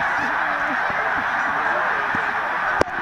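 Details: Enormous migration flock of snow and Canada geese plus tundra swans over Middle Creek, Pennsylvania, 16 March 2015; an unbroken chorus of overlapping honks with some clearer nearby calls, ending with a sharp knock close by.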